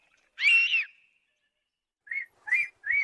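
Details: An eagle gives one long arched whistle, followed by three shorter, clipped whistled notes in quick succession.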